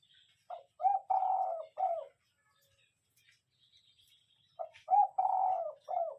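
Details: Spotted dove used as a lure bird, giving cooing phrases: short low coos building to a longer drawn-out coo and a final note, two phrases separated by a quiet pause, with faint higher chirps from other birds.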